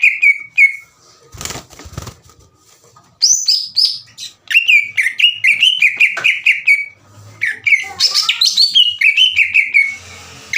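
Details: Green leafbird song used to stir rival leafbirds into answering; short whistled notes, a noisy gap, then series of repeated rising-falling chirps and bright whistles, with faint background hum.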